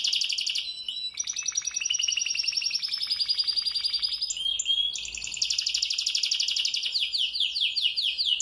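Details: Moulting canary that keeps singing all day gives a long, gliding high trill, brief sharp notes, then a loud fast roll and a run of swept chirps at the finish.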